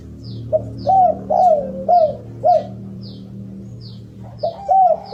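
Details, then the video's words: Spotted dove (derkuku) song recorded as a lure to get birds singing: a series of rounded, arching coos at a steady pace, a short pause, then more coos, with faint high ticks and a low background hum. "Kicau derkukuk... Pancingan agar cepat gacor"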